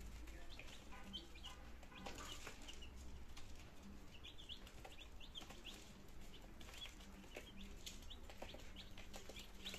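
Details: Nineteen healthy domestic chicks on their second day in Germany, 17 September 2022, beginning to try eating and drinking; many short, high peeping chirps overlap irregularly throughout, above a steady low hum and occasional soft rustling.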